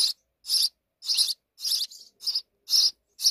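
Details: Harsh, buzzy chirps from sparrows at a nest deep in a wall, about two notes per second, loud and close.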